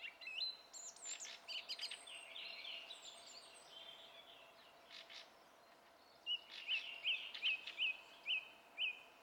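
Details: Song thrush singing, recorded 27 April 2016: a mix of varied twittering and whistled phrases, then one short looping note repeated six times in quick, even succession at the end.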